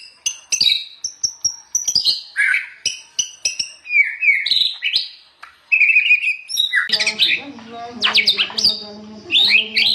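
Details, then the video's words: White-rumped shama song for training other shamas: a varied stream of loud, clear whistled phrases, rising and falling, then a harsher, busier section with a low steady tone beneath. "KUMPULAN BEBERAPA SUARA OCEHAN BURUNG MURAI BATU GACOR UNTUK MASTERAN MURAI"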